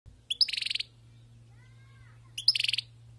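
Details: Wild-caught European goldfinch singing: two short, identical bursts of fast, bright, buzzy twittering notes about two seconds apart, with a low steady hum underneath.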